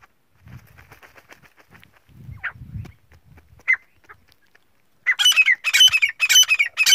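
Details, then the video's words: Black francolin calling toward a female: after a few seconds of faint rustling and low rumbles, four loud, harsh, grating bursts in quick succession near the end. "Teetar Calling Female Teetar"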